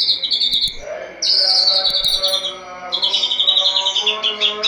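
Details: White-rumped shama kept in a cage, singing hard at dawn after its cage cover is opened: bursts of fast, high, even trilled notes, each run lasting about a second with brief pauses, over a low steady hum.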